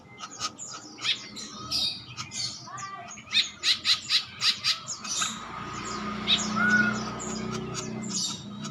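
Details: Male green woodpecker giving a quick run of six sharp, harsh notes about a quarter-second apart, among scattered chirps and a steady background hiss.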